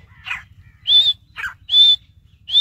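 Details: Grey francolin, called Sindhi teetar, calling loudly: shrill, high, level whistled notes about once every 0.8 seconds, alternating with shorter, harsher, rasping notes. The background is quiet apart from a low steady hum.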